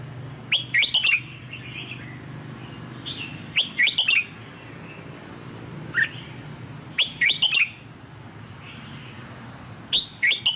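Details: Newly bought, wild-caught caged red-whiskered bulbul in training, singing in the Sông Kon style: short bright warbled phrases of quick rising and falling notes, given in bursts a few seconds apart, over a steady low hum.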